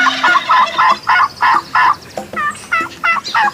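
A turkey gobbles in a rapid, rattling burst of throaty, bubbling notes, about three per second, with several gobbles following one another.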